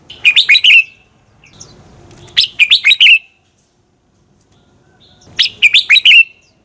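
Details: Fighting song of a red-whiskered bulbul, used as a lure to train birds: three clear phrases of four or five fast, bright warbling notes, separated by about two-second pauses.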